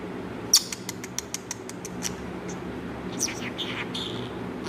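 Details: A pet talking budgerigar chatters in dry, rapid clicks, then gives a few short, scratchy warbled chirps.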